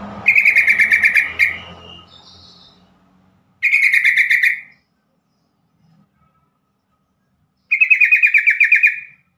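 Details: Yellow-vented bulbul call meant to prompt other bulbuls to respond and set quiet or stressed birds singing; three loud, bubbly chattering bursts of eight to ten rapid notes, each lasting about a second, with silence in between.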